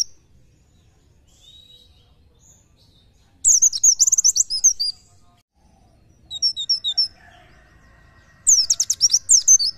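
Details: An Oriental white-eye gives a fast "shooting" song used as tutor recording: three bursts of very high, rapid twittering, run-together chirps of one to one and a half seconds each, with quiet gaps between.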